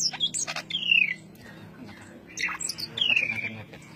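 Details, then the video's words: A greater green leafbird sings ngentrok: quick high chirps lead into a clear whistle sliding downward, a pause, more chirps, then another long descending whistled slide. "Suara burung cucak ijo ngentrok suara rapat"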